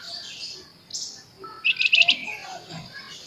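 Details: Flamboyan songbird in full energetic song in the nyerecet and nembak styles: scattered high hissy notes, then a quick burst of four or five sharp, rapid chattering notes, followed by softer high trills over faint background hiss.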